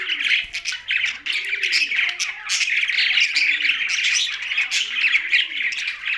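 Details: Several caged budgerigars sharing space with a parrot in Larkana, Sindh; constant high twittering and chirruping from many birds without pause, a lively warbled chorus.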